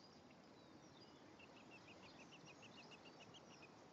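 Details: European greenfinch at the nest with male and female present, 1 May 2015: a fast, even series of about a dozen short high notes, roughly three per second, above low steady hiss.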